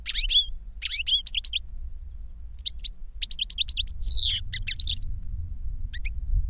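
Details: European goldfinch tutor and pupil in cages singing: bursts of thin high twittering and chirps, a brief buzzy rasp in the middle, short gaps between phrases and a low rumbling background.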